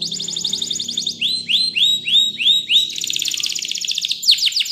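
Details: Spanish Timbrado canary training song in quick-changing tours: a dense high trill, then slower looping rising notes about four per second, then another fast bright rattle and sweeping slurs.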